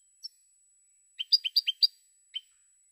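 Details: European goldfinch, 2016 recording: a handful of crisp, high chirped notes in a quick group of five or six, with an isolated note before and after.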